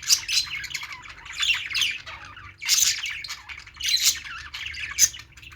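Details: Several budgerigars playing together: dense twittering and harsh squawk bursts swelling roughly every second, over a faint low hum.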